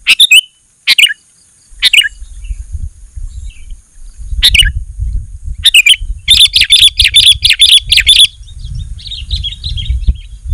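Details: Lively Sooty-headed bulbul song meant to prompt quiet bulbuls to sing: several bubbly three-note phrases, then a fast run of repeated bright chattering notes, ending in softer twittering, with low rumble underneath.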